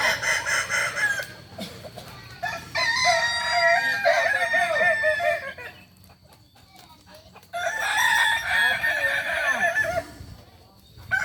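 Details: Crowing contest final for Kukuak Balenggek chickens in Ampang Kualo, Kota Solok, held Sunday 8 September 2024. Two long bursts of many-syllabled, wavering crows from several birds, separated by a quieter stretch of clicks and murmuring.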